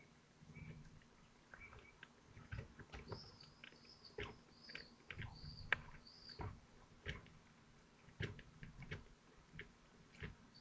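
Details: Feeding at a kestrel nest, Théding, France, 25 June 2023: a short run of five or six high arched squeals in the middle, surrounded by scattered clicks, taps and soft rustles.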